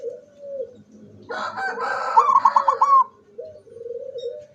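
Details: Zebra dove recorded 24 September 2023, singing with beak wide open: a rapid rattling run of short notes ending in a held coo. Rustling and other low cooing sounds come before and after.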